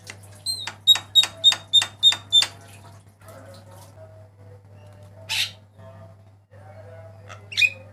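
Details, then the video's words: Black-winged myna song used as a training master: a rapid run of about seven clipped ringing notes, then quiet murmuring, a loud rasping burst and a final whistled squawk, over low hum. "JALAK KEBO MATA PUTIH KICAUAN MANTAP"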